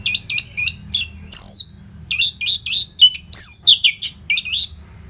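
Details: Orange-headed thrush, recorded as a continuous master song for training fighter birds, delivering rapid clusters of high chirps mixed with downward-sliding whistles in a busy, almost unbroken run.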